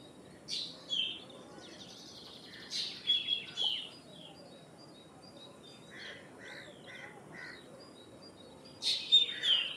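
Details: Common myna calling: scattered chirps, a brief buzzy rattle and sharp whistled notes in irregular groups, with low background hiss and a loud burst of notes near the end.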